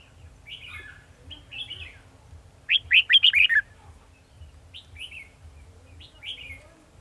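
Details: Caged red-whiskered bulbul used as a trapping decoy, 18 December 2020: scattered short whistled phrases around a loud rapid burst of four to five sharp notes midway, low hum beneath.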